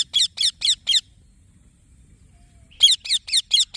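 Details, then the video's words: Green baby parrot chirping: two quick bursts of harsh, high, buzzy chirps, about four and then five notes in even succession, separated by nearly two seconds of quiet. "Green Baby Parrot Chirping Sounds"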